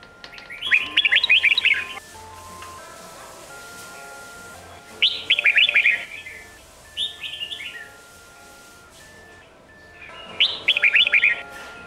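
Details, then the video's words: Red-whiskered bulbul singing in the Sông Kôn style, used as training song to coach young birds' voices for competition: three bursts of bright, rapid warbled notes, each about a second long, separated by quieter gaps with a steady background tone. "Luyện Giọng Chào Mào Đỉnh Cao | Tận Hưởng Âm Thanh Tuyệt Vời Của SÔNG KÔN | Ép Giọng Chim Non"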